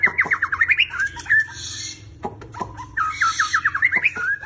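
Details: Black shama, a competition fighter bird in full, lively song ('gacor'), delivers two loud bursts of rapid, repeated chattering notes that step upward, each about a second long, split by sharp clicks and a brief pause, over a low steady hum.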